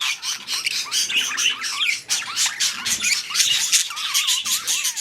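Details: Budgerigars around mating time: harsh squawks mix with quick, wavering whistled notes that bend up and down, delivered in a steady stream with brief dips.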